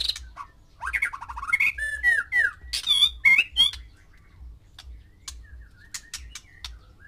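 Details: Male white-rumped shama in captivity, singing to six females to provoke mating readiness: loud, rich whistled phrases sliding up and down, mixed with rapid chattering trills, then fading to scattered clicks and soft notes.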